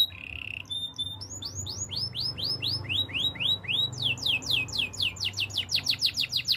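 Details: Spanish Timbrado canary song used for training: a brief rattle, then long series of quick descending whistled notes, repeated about four a second and speeding up toward the end.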